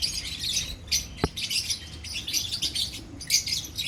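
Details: Colony of lovebirds keeping up a dense, shrill chatter. High chirps overlap almost without a break, and one sharp click is heard near the middle.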